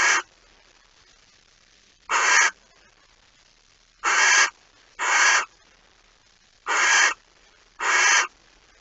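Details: Barn owl at a nest in Friesland, Netherlands, recorded before dawn on 26 August 2019 as a mouse caught overnight is brought in; six harsh broadband hissing screeches, each about half a second long, spaced irregularly one to two seconds apart.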